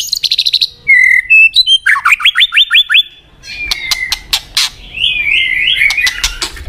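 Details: White-rumped shama, a songbird prized for its singing, delivering a fast stuttered trill, clear steady whistles, then a rhythmic series of downslurred notes, ending in softer warbling.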